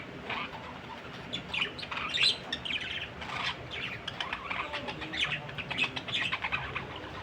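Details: Soft, somewhat distant budgerigar chatter, a steady stream of scratchy warbling notes and small chirps with a few louder squeaks, against a faint background hiss.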